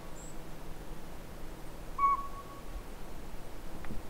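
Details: At the Sea to Sky Gondola, a northern pygmy owl sounds one mellow whistled toot partway through, with a soft echoing tail, against quiet low-pitched ambient noise.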